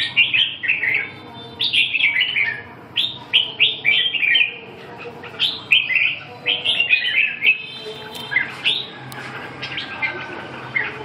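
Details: Red-whiskered bulbul delivering short, sweet whistled phrases in bursts, separated by small gaps. The bursts grow busier midway, then thin out toward the end.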